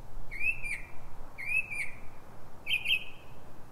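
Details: Pre-dawn night song of a Northern mockingbird in Silver Spring, Maryland, USA, at 3:44 am: three clear whistled phrases, each a rising then falling slur, roughly every second, against a soft low rumble.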